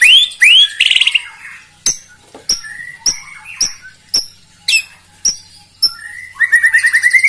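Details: Song attributed to a white-rumped shama used to provoke rivals: loud sharp clicks and chips spaced about half a second apart, brief whistled slurs, ending in a rapid series of rising notes.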